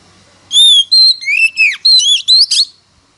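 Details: Oriental magpie-robin in competitive song, a rich run of pure whistled notes, rising and falling slurs, ending in a brief buzzy flourish.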